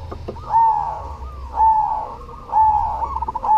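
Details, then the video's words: Perkutut cemani (zebra dove) in active song: three long, mellow coos rising then holding steady, roughly one per second, ending in a brief stuttered trill, with low rumbling noise behind. "SUARA PERKUTUT CEMANI GACOR"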